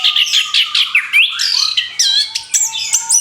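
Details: Orange-headed thrush just after moulting, kept by bird hobbyists and ready to open its beak again. Rapid, loud high-pitched phrases of rising and falling whistles and chirps, tightly packed, over a faint low hum.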